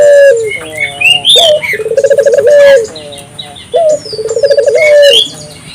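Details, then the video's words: African collared dove calling to stimulate local doves: rapid rolling pulsed coos with long falling endings, repeated every couple of seconds, amid frequent high chirps and twitters of other birds. "suara burung puter gacor,merangsang burung puter lokal ikut gacor"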